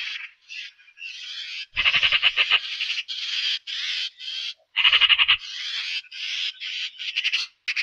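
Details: Eurasian magpie calling in a string of coarse, buzzy rattles, some short and some drawn out, with two stronger staccato chak-chak bursts; recording otherwise quiet.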